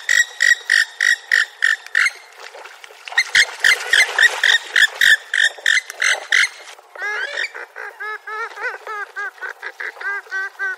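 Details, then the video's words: Purple swamphen with a steady run of harsh nasal honks, about three each second. A short pause follows, then a stream of quick, arched, cackling notes that rise and fall. "Sultan toyuqu sesi"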